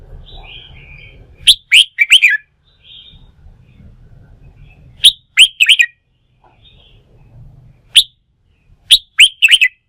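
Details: Red-whiskered bulbul, a fresh wild-caught bird provoked into singing as training for singing contests, repeats a loud, quick phrase of sharp chirps with rising and falling notes. The phrase comes three times, with a low hum between.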